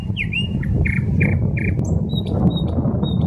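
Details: Nightingale song from a Saint Petersburg park by the Smolenka: a swooping whistle, then a row of evenly spaced piping notes and some high thin notes, with constant traffic drone beneath.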